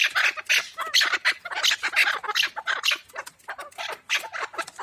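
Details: Pamir chukar partridge, kabk in the local name, producing rapid, raspy chuckling notes about 83 per minute in uneven bursts, bright and clipped.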